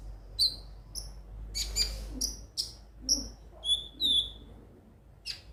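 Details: Konin sunbird song played to stir other birds into singing: short high sharp chirps and whistled notes, sparse and irregular, with a low steady hum beneath.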